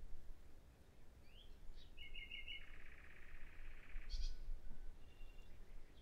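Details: Common nightingale producing a few thin whistles, then a sustained buzzy, rattling churr lasting over a second, followed by a brief high note and a soft whistle, with low-pitched background rumble.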